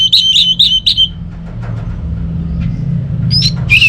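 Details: Orange-headed thrush song to get birds at home singing again: a run of rapid trilled warbling phrases, a pause with faint notes, then a sharp whistle and buzzy trill, with constant low hum.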